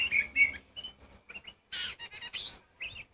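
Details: Oriental magpie-robin in loud provoking song, short bursts of whistles, a high thin note and a harsh buzzy rasp, followed by rising whistled slurs.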